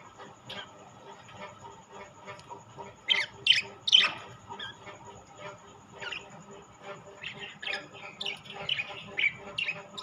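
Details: A mix of rainbow and classic budgerigars; soft scattered chirps build to a cluster of loud, sharp squeaky calls, followed by steady lower-level warbling chatter.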